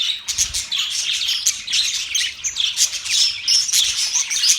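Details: Budgerigars kept as pets chattering, a quick run of high chirps, thin whistles and scratchy warbles, steady and overlapping for under five seconds.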